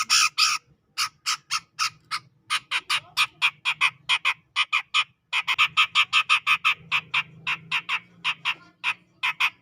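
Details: Sumatran grey-cheeked bulbul from forest near Medan, singing in energetic ngepik style: a long, nearly continuous series of harsh, clipped notes, about four per second, with brief pauses between phrases.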